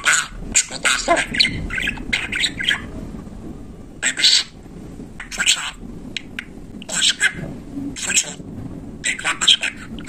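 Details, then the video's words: Budgerigar imitating speech, a continuous stream of quick, gritty chatter with clipped syllables and brief squeaks, rising and falling in bursts roughly every second. "Bülbül gibi konuşan muhabbet kuşu"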